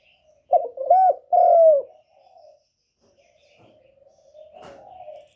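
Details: Spotted dove serving as a trapping lure, calling to pull in wild doves: one strong phrase of a stammered start, a rounded coo and a long falling note, followed by faint murmuring and a few soft knocks.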